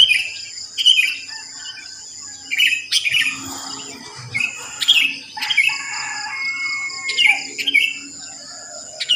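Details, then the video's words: Early-morning sooty-headed bulbuls in a residential area; crisp chirped and slurred whistled notes in quick clusters, over a steady high insect-like hum, with a low thud midway. "Pancingan Ampuh untuk Terapi Burung Kutilang Malas Bunyi"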